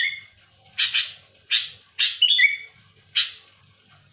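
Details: Sooty-headed bulbul singing actively to press a rival: separate harsh raspy bursts under a second apart, with one clear whistled phrase dropping in pitch midway.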